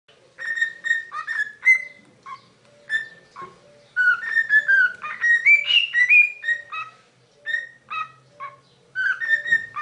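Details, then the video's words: Parrot singing the Super Mario Bros. theme: clear whistled notes in a bouncy melody, short staccato notes and a few gliding phrases with brief pauses between bursts, plus a faint low hum behind. "Cute Parrot sings Super Mario Bros."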